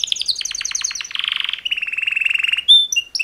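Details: Male canary mating-call song from two males: fast repeated chirps and a dense buzzy trill, followed by a sharp whistled note and clipped upward chirps.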